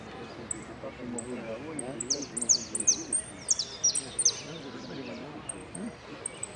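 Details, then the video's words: Saffron finch competing in an 'amarillo sin cierre' singing contest at Merlo on 3 December 2017 sings thin, very high whistled notes and quick rising-falling phrases, with men talking in Spanish throughout. "Participo en amarillo sin cierre concurso Merlo 03 12 17"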